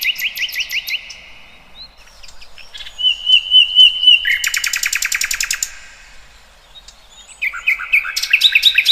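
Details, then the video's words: Birdsong in the wild from several singers: quick rising whistled trills, a clear warbling phrase, then a long fast series of repeated chirps lasting about two seconds, ending with bright rolling trills. "Kicauan Burung Cerminkan Suasana Damai"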